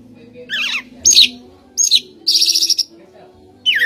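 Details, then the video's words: Magpie robin singing rapidly: a falling double-tone whistle, sharp upslurred notes, a long rasping buzzy rattle, then another descending whistle, all over a faint low hum. "Copsychus saularis bird sounds | magpie robin"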